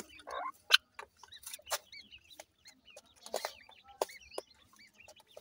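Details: Several grey francolin chicks in Punjab, Pakistan, peeping with brief, curved chirps in quick irregular bursts, broken by loud knocking and tapping noises.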